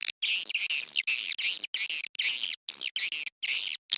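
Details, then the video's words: Swiftlets calling at dusk in a mating call meant to attract more swiftlets: sustained high, wavering twitters in runs of about half a second, separated by short pauses. "SUARA PANGGIL BURUNG WALET BIRAHI SENJA"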